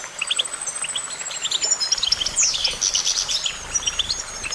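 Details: Goldfinch: a long high whistled note drawn out over several seconds while scattered chirps pop around it, then a dense rasping twitter and more paired tweets.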